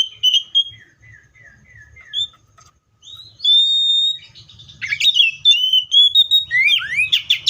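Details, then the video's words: Seychelles magpie-robin: a series of soft descending notes, then a loud, steady whistle, followed by rapid, rich chirping and sweeping whistles building to a lively finish. "COPSYCHUS SECHELLARUM BIRDS SOUNDS LIKE IN NATURE LOUD CLEAR SOUNDS"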